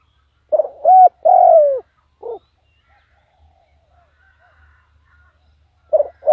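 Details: Decoy spotted dove calling to draw in wild birds: a cluster of mellow coos, one long and falling, then a short clipped note, a quiet pause with soft low thumps, and renewed cooing at the end.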